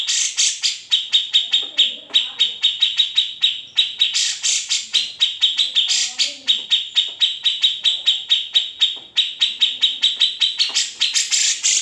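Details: Original, unedited grey-cheeked bulbul tutor song: a continuous, fast stream of sharp high notes with occasional louder, harsher accents, sustained throughout without pauses.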